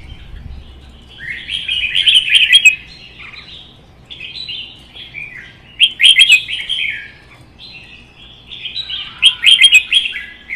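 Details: Caged red-whiskered bulbuls in a song contest, one a wild-caught adult: three strong bursts of rollicking, chattering whistles roughly every four seconds, separated by softer phrases, with high ticking notes in each burst.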